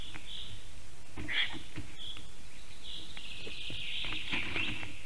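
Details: Black stork (Ciconia nigra) at a Latvian nest, 6 May 2019, 9:22 AM, calling: high, wheezy whistles, short at first, then one long hissing whistle, over a steady low rumble of wind.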